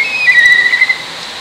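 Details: A black kite perched atop an electric pole amid rice fields gives a thin, drawn-out whistle that falls slightly and wavers over about a second, against a light background hiss.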